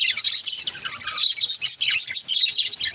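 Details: Baby budgerigar singing: a dense, continuous warble of high chirps, twitters and squeaky chattering notes without pause.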